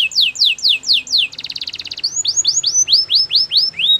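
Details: Canary singing loud repeated falling whistles, a brief rapid pulsed trill, then a run of upward-arched whistled notes repeated about three per second.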